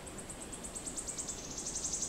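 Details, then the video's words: Wood warbler song dated 06-07-16: a quick series of thin, high ticking notes speeding up toward a brief shivering trill at the very end, with faint background hiss. "Song of the Wood Warbler"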